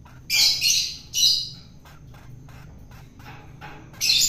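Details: Long-tailed shrike obtained from the wild and fed to tame it: two grating high squawks close together, a lull with faint clicks, then another loud rasp.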